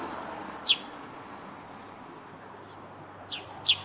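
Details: Eurasian tree sparrow at a rooftop nest site gives one loud, high, falling chirp, then after a long pause two more in quick succession, over soft hiss.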